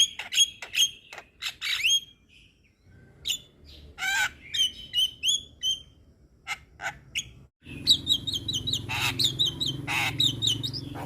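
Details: Young Javan myna singing a varied medley of ringing whistles and harsh chirps; after a brief gap a burst of rapid whistled phrases follows over a low rumbling background.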